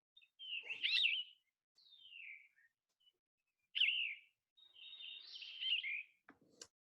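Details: Yellow-throated Vireo singing in South Carolina in spring: burry, raspy two- and three-note phrases around mid-high pitch, separated by unhurried pauses of a second or more; slower than the Red-eyed Vireo's song.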